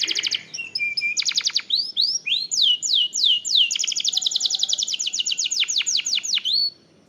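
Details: Canary lure song to set other canaries singing: rapid trills and short whistles, then a long series of falling whistled sweeps running into a fast rolling trill of repeated notes.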